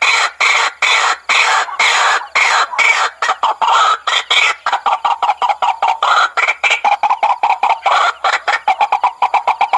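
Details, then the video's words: White-breasted waterhen lure call, used day and night to attract waterhens: a dense run of harsh, rapid croaking notes, near-continuous and grating, repeated without pause. "SUARA PIKAT RUAK RUAK PALING AMPUH"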